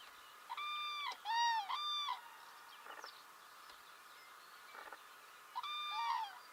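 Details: Spring 2017 recording from Belarus of common cranes giving loud, ringing trumpet calls: two close bugled bursts early, a pause with quieter pulsed notes, then another rolling call near the end, over a steady background hum.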